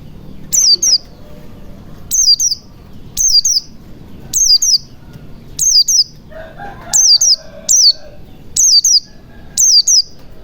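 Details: White-eye recording used as a lure to get stalled white-eyes singing: very high, thin, sharply falling chirps, often paired, repeated about once a second, with a brief lower murmuring sound midway and a soft low background rumble.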